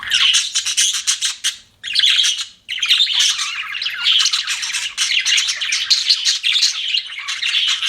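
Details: Pet budgerigars chirping in dense, continuous bursts of bright twittering and squawky notes, with a short pause near two seconds and another before three seconds, then steady chatter to the end.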